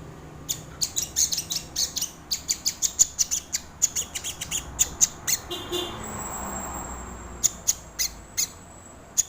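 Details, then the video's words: Lure recording of a sogon bird singing: a long, steady run of sharp, rasping ticks, roughly three to four per second, then a short pause and scattered further ticks. "SUARA BURUNG SOGON UNTUK PANCINGAN ATAU MASTERAN // SUARA PIKAT BURUNG SOGON // BURUNG SOGON GACOR"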